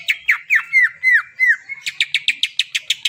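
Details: Greater green leafbird song used to stir silent birds to sing: five loud, clear downslurred whistles about a quarter second apart, followed by a quicker series of short, sharp repeated notes.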